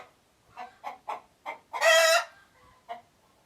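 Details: Chicken voicing an alert: four measured clucks climb into a single harsh, half-second squawk, trailed by a softer cluck.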